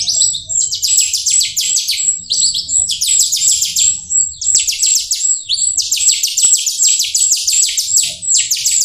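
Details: Jalak rio myna in lively song, pouring out fast bursts of sharp descending chattering notes, interspersed with high thin whistles, in near-continuous phrases.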